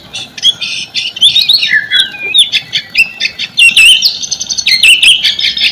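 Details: White-rumped shama song serving as a lure to get quiet shamas singing, made of looping whistles, dipping slurs and crisp chattered notes mixed in quick succession.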